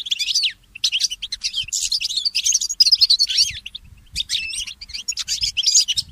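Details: Goldfinch hybrid in morning song, delivering long, fast, tinkling warbles with slurred rising and falling whistles, one brief pause midway before the twittering continues.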